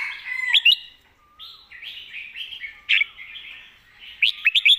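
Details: Red-whiskered bulbul in 'master song' style, pouring out continuous mellow warbling with bright whistled accents, ending in a quick run of ringing notes.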